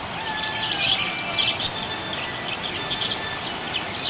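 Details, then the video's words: Budgerigar chirping happily: scratchy high twitters in small bursts, several louder chirps near the start and middle, over steady background noise. "Happy budgie chirping sound"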